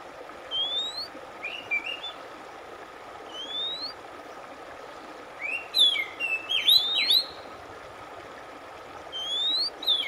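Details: Oriental magpie-robin, recording intended to restore a stressed bird's singing: scattered rising whistles, then a dense cluster of looping whistled notes near the middle, and a final rising whistle, over faint background hum.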